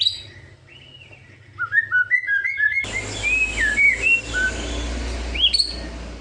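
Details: White-rumped shama singing kretekan to provoke rival birds: a stepped run of short whistled notes climbing upward, then scattered loud whistles over a sudden rise of hissing background noise.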